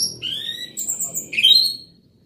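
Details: Loud singing from an orange-headed thrush, a short phrase of clear whistled slurs, first level then a sharp upward sweep, ending in a fading high note.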